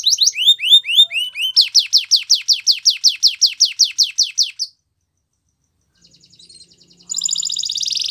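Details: Spanish Timbrado canary singing a training song for canaries: repeated rising chirps, then a long series of quick upswept notes about three per second, a pause of near silence, then a dense metallic trill at the end.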